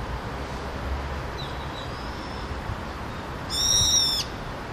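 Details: A Brown-eared Bulbul in spring in Seoul, Korea, gives one loud, shrill, slightly falling screech, with faint thin whistles before it and steady background rumble.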